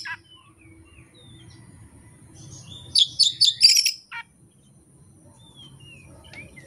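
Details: Oriental magpie-robin unloading its repertoire of song phrases, singing without a tutor recording or rival: soft scattered whistles, then a loud rapid run of sharp chirped and whistled notes, a single downward note, and more quiet, thin whistles.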